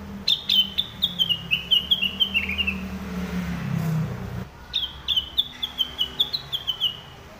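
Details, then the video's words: Sumatran leafbird (rengganis/cucak wilis) singing lively and clear: two bursts of bright, chirpy notes, about fifteen to a burst, each note sliding down and the phrase drifting lower, over a faint low hum. "Kicau Burung Rengganis/Cucak Wilis Gacor & Jernih"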